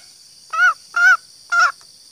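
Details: Three evenly spaced, slightly longer nasal clucks from a female green junglefowl, a call meant to lure males, each about a quarter second, with a constant high hiss throughout.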